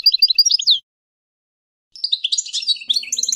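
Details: European goldfinch singing: a quick, tinkling run of bright twittered notes, a brief pause, then a second denser burst of liquid chirps and trills.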